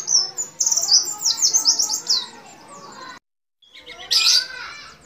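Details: A white-eye, possibly of the Bali or Banyuwangi type, gives long shooting song used as a tutor: a fast, high, tumbling twitter of thin chirps for about three seconds, then a shorter, sharper burst after a pause.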